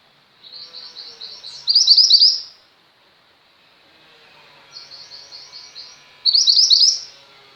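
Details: Actively singing female mountain white-eye used as a tutor for pet birds: two bouts, each starting as soft high chatter and rising into a loud, fast run of bright twittered notes, separated by near silence.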